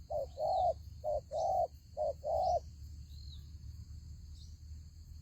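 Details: Spotted dove used as a ground decoy in a fight trap for wild doves, giving three deep hooted coos, each short note followed by a longer rolling one, over steady high-pitched insect-like hum.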